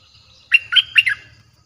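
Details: A fierce-sounding Streak-eared bulbul song played to lure wild birds. One quick phrase of four gurgling, slurred notes lasts under a second, over a faint low rumble.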